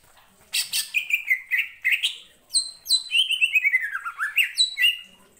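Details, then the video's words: Lure song of a greater green leafbird singing gacor ngentrok to rouse other birds: dense chattering run of bright whistled notes that dip and climb in steps, laced with high metallic flicks. "pancingan cucak ijo gacor ngentrok‼️ampuh bangkitkan emosi"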